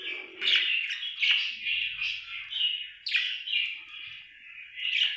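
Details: A contented budgerigar keeps up continuous warbling chatter, sliding chirps and sharp ticks layered over a steady tone, with a brief soft rumble in the background.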